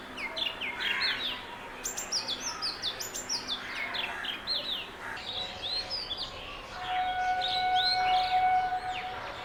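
Oriental magpie-robin song: a quick, varied run of clear whistles and sweet slurred notes, rising and falling. A steady droning musical tone joins near the end.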